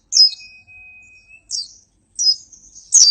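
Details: Oriental white-eye (pleci) song, recorded as training material: three short, high, twittering bursts separated by pauses, with a thin steady whistle beneath the first phrase.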